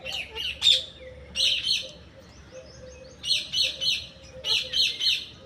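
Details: Parrot repeating rapid, harsh chattering calls in groups of three or four, bursts separated by short pauses, steady faint hum behind.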